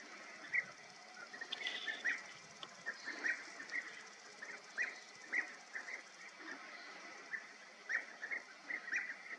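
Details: European bee-eaters at Bölcske, Hungary, give short, rolling, liquid notes, several birds overlapping at an irregular pace every half second or so, over a steady background hiss.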